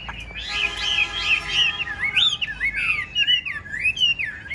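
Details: A caged yellow-billed Chinese hwamei, brought home the afternoon before, sings on a rainy first-of-the-month morning. Loud wavering whistles run into rising and falling slurred phrases, over a steady tonal hum.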